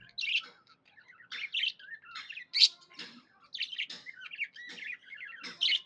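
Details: Budgerigar kept as a pet, chirping happily: an uneven chatter of squeaky notes, buzzy rolls and sharp clicks, louder peaks roughly every second amid continuous soft warbling.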